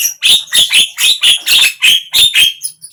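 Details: Javan myna (jalak kebo) singing, a recording meant to coax a silent bird into opening its beak: a fast steady series of about eight harsh, grating notes, roughly three per second, then it fades.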